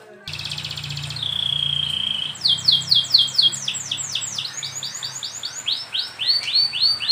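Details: Canary masteran training song, meant to get young canaries singing fast: a buzzy trill and long whistle, then quick cascades of downslurred high notes in changing repeated phrases over a low hum.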